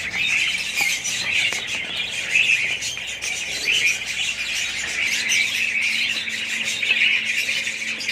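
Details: Budgerigars in a colony chatter nonstop, many overlapping high chirps, whistles and warbled phrases forming a thick, steady chorus.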